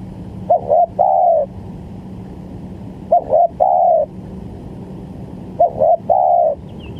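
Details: Spotted dove coo phrases played to lure birds for trapping: three phrases roughly every three seconds, brief clipped notes then a drawn-out descending coo, with a low constant hum.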